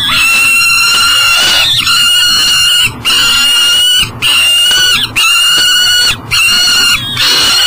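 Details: At a riverside nest box in Elk River, Minnesota, a peregrine falcon bringing food at 7am calls insistently. Long, even, harmonic wails, each lasting about a second, are broken by brief silences.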